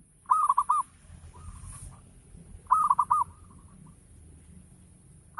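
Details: Perkutut lokal, the zebra dove, singing a lure phrase; two runs of four fast rolling coos about two and a half seconds apart, trailed by quieter echoing coos and low murmuring background.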